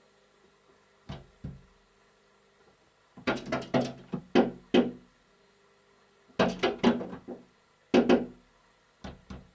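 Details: Repeated hollow knocks on a balcony door, heard in irregular bursts of two to six taps in a small room, with no calls or other animal voices.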